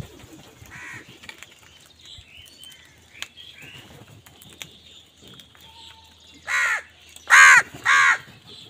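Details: Crow quarrelling with wild birds over food: quiet twittering of small birds, then three loud harsh caws close together near the end.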